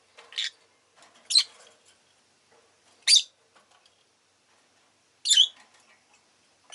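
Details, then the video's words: Pet rosy-faced lovebird giving sharp, high, buzzy chirps, four loud bursts spaced roughly one to two seconds apart, with faint softer notes in between over a quiet background. "Lovebird Chirping Sounds"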